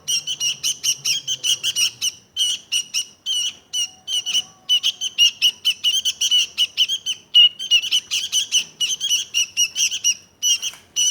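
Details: Sooty-headed bulbul giving quick, sharp chirping bursts in rolling series, loud and metallic, with a brief soft whistle-like tone midway.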